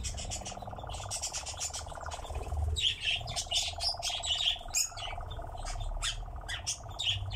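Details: Nightjar on a steep bank: a fast rattling churr runs through the first few seconds, then is half-covered by loud, varied chirping and whistled songs of other birds.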